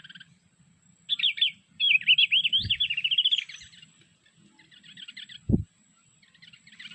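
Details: Mountain white-eye in Sulawesi, played from an MP3 as a lure for trapping with birdlime: rapid high warbling phrases of sweet wavering notes, with low thumps and faint background noise between bursts.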